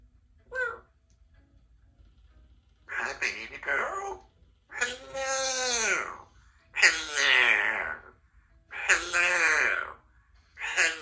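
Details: Three-year-old female Congo African grey parrot, a pet, talks in a string of five or six voice-like phrases such as "it's cold in here", about one every two seconds, with wavering, human-sounding tones in a quiet room.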